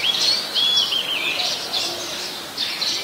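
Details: Oriental magpie-robin, a very common resident, recorded on 21 January 2021 in Ubon Ratchathani, Thailand: clear whistled phrases sliding between high notes, run together in a continuous varied stream.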